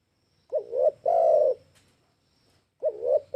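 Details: Spotted dove calls used as a lure: low, mellow cooing notes, a soft dipping coo followed by a longer sustained one, then a pause before the phrase begins again.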